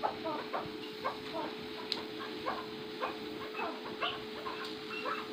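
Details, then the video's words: Chukar partridge of the First Cross Maskati type uttering loose clusters of short, rising clucks at uneven intervals, set against a continuous low hum and background noise. "چکور کی مستی"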